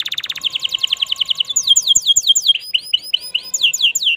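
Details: Canary singing in sunny afternoon weather, opening with a rapid, even trill of high notes, then a run of sharp, downward-swept whistles and a string of shorter chirped phrases.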